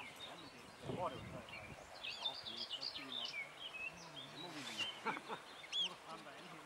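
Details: Barn swallows resting on a wire on Saltholm give quick, high twittering chirps and squeaky warbles throughout, with low murmured human voices in the background.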